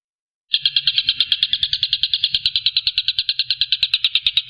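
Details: Tengkek Buto (collared kingfisher) calling: a fast, steady run of sharp, bright, even notes, about eight each second, held without pause for around four seconds after a brief silence, with a faint low hum underneath.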